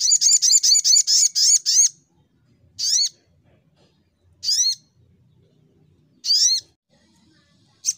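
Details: Brown-throated sunbird in full fighting mode, shooting song: a rapid run of about ten squeaky rising notes, then single harsh notes spaced one to two seconds apart.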